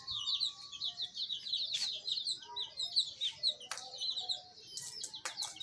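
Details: Baby chicks chirping, a busy flock of high, quick peeps that run on without pause, broken by a few sharp tapping clicks.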